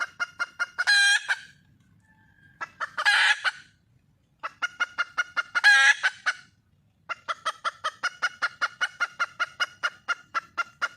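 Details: Wild red junglefowl hen seeking a male: cycles of fast clucking that climax in loud, harsh, ringing squawks, three of them, with quiet gaps and a long closing run of steady clucks.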